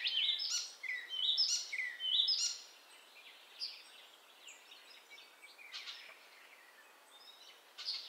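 Icterine warbler singing a fast, varied jumble of high chattering and whistled phrases, loud in the first seconds, then softer scratchy notes and chirps.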